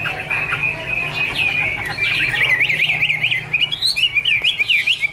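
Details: Chinese hwamei song starting with a sustained whistled note, then breaking into rapid, bouncing zigzag phrases and loud separate whistled notes toward the end, over a low background hum.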